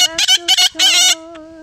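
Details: Five-year-old pet Yellow-collared Macaw singing along with its owner: loud harsh rasping squawks in short bursts over a woman's steady sung note, with a hymn being sung.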